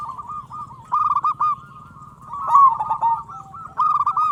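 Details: Local zebra dove with a big voice, used to prompt other zebra doves to sing quickly: short rolling coo phrases, loudest in the middle, with a low hum underneath.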